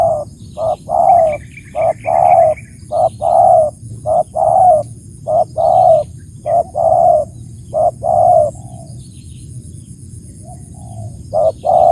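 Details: A spotted dove (tekukur) calls in a long, steady series: clipped note, then rolling coo, over and over at a regular pace for about ten seconds. A steady high whine continues behind it.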